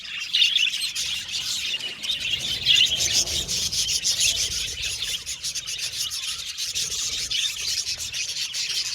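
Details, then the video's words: A colony of happy pet budgerigars in an aviary giving dense, continuous high chirping and warbling chatter, many birds overlapping with rapid twittering notes throughout. "Happy Budgies Chirping Sound"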